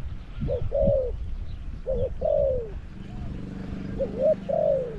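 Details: Decoy spotted dove at Song Phi Nong, Thailand, calling to attract wild birds: mellow cooing phrases of a short note and a long falling note, with a low droning hum in the middle.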